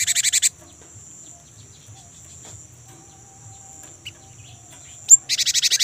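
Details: Lure song of a young great tit for caged birds: a fast pulsed trill cut off at the start, a long quiet gap with a faint high hum and one soft chip, then a sharp note and another rapid rolling trill.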